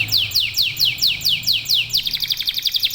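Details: Local domestic canary song of clear downward-swept whistles about twice a second, then a fast stuttering trill, with a low hum underneath.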